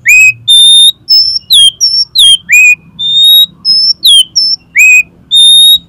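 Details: Oriental magpie-robin singing in the konslet style, used to make another magpie-robin spread its tail: loud, clear whistled notes, some rising and some falling, alternating between high and lower pitches with short gaps between phrases.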